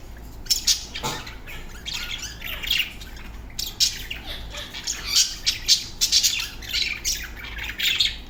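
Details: A pair of budgerigars chatter with rapid, scratchy chirps and squawks, bursting high and bright.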